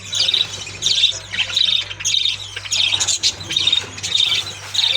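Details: Several budgerigars in an aviary, caged, playing, singing and feeding; continuous bright squawky warbling in pulsing bursts about twice a second over a steady low hum.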